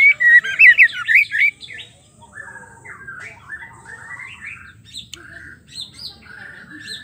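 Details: Female white-rumped shama (murai batu), its call meant to spur males into singing: a loud burst of rapid, warbling whistled notes for about a second and a half, then softer, varied chirps and short slurred whistles.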